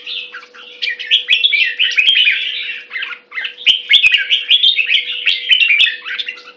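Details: Near-continuous warbling from a red-whiskered bulbul, tumbling whistled notes strung into long chattering phrases with one brief pause midway; scattered clicks and a low constant hum.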